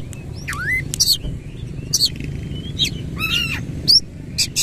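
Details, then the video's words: White-rumped shama giving a rough, varied song with spread tail: a swooping whistle, sharp clicks, buzzy rattles and a bright rising whistle, spaced irregularly over low background hum. "KACER GACOR BONGKAR ISIAN KASAR BUKA EKOR"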